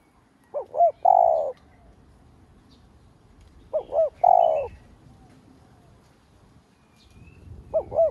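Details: A spotted dove acting as a lure to stimulate other doves repeats a phrase of two short rising notes and a long coo roughly every three and a half seconds. Faint chirps are heard in the background.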